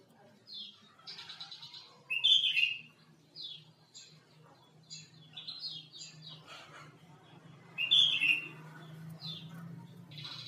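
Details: Male sooty-headed bulbul giving its basic song: short high chirps and slurred notes, several louder rasping bursts near two and eight seconds, over a low steady hum.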